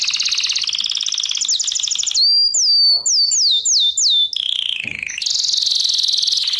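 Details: Lesson of canary singing for training: buzzy trills rising in pitch, a run of falling whistled sweeps, a descending slur, then a loud high rolling trill.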